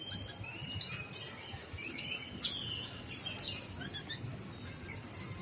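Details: Brown-throated sunbird, called kolibri ninja locally, producing scattered sharp high chirps and thin squeaky whistles, growing into quicker clusters of twittering notes near the end, over a faint low hum.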